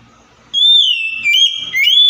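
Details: White-rumped shama song meant to provoke a stressed, silent bird into answering: a bright held whistle sliding gently down, followed by quick stepped phrases and an upward swoop, over a faint murmuring background.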